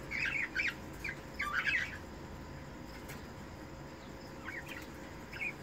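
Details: Cockatiel, red-eyed breeding pair at mating time: a run of quick mid-pitched chirps and warbling notes in the first two seconds, a pause, then a few scattered soft chirps toward the end over steady hiss.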